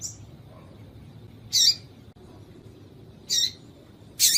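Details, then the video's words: Call of a female yellow-bellied seedeater, used to get males excited: a faint thin note, then three loud, high buzzy chirps roughly every second and a half. "Piado de Fêmea de Papa capim pra Esquenta papa capim"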